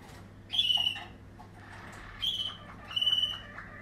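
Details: Waterslager canary of a 2020 strain: three loud clear whistled phrases, the last ones wavering, separated by softer trilling.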